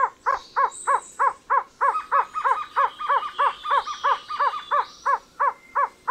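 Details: Trogon delivering an even, steady string of hollow, clucking notes, roughly three a second throughout, with faint high-pitched insect whines drifting in the background.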